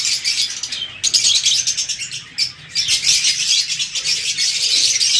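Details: A group of African lovebirds keeps up a dense, shrill chatter of high chirps and squeaks, with a brief lull near the middle.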